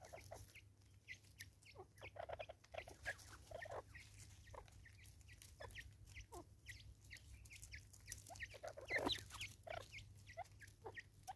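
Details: Natal spurfowl from South Africa calling raucously: long, uneven series of scratchy clipped notes, spaced loosely then bunching into a louder burst near the end, over a low steady hum.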